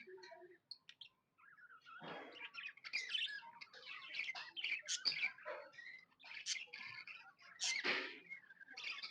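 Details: Pet budgies chirping happily: a few soft, scattered squeaks at first, then a fuller run of rapid scratchy warbling and sharp high chirps.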